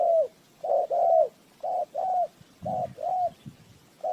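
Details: Spotted dove cooing as a decoy for bird trapping: clear two-note phrases, a quick coo then a longer falling one, about one pair per second, with faint low knocks.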